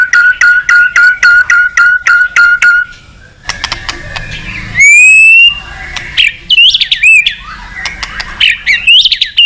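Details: White-rumped shama in full song, calling out a rival: a quick string of repeated chipping notes, then a pause, followed by loud slurred whistles and high rising sweeps.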